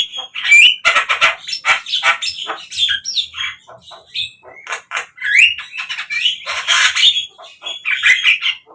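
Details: Javan myna song played to lure captive birds into singing: dense harsh chattering with squeaky whistles and upward-sweeping notes, lively and nearly unbroken.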